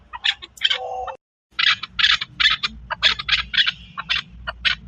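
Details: Chakor, the Chukar partridge, in Pakistan: a run of rapid, raspy chuck notes, briefly broken by a pause near the first second, then resuming at about three per second over a faint low hum.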